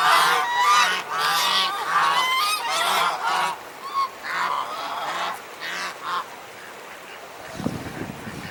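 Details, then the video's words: Group of African geese filmed in the Jordan Valley on January 19, 2021, giving rapid harsh honks about twice per second for six seconds, then quieter, ending with a brief thump. "African Geese Honking"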